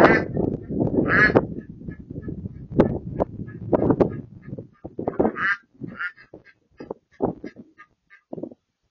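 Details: Wood ducks calling in a marsh: a jumble of low, rough quacks and squeaky calls, with many short notes overlapping at first, then thinning out into spaced calls.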